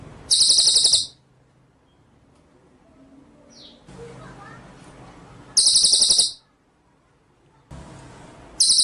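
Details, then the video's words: Cililin bird singing gacor: short bursts of very high, shrill rapid trills repeated three times with quiet gaps, some faint rustling and low background noise between phrases. "masteran cililin gacor"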